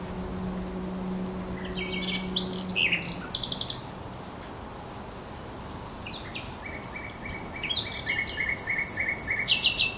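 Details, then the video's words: Thrush nightingale singing on the Żerań Canal on 24 April 2022: scattered high whistled notes, then bursts of rapid dry rattling phrases repeated in fast runs, over a steady low hum and faint background noise. "Śpiew słowika rdzawego na Kanale Żerańskim"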